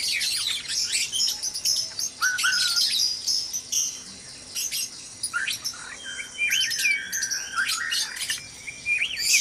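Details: White-rumped shamas in a breeding cage before sunrise: dense high chirping, then clearer mid-pitched whistled slurs and rising notes, some held briefly, in a busy continuous chorus.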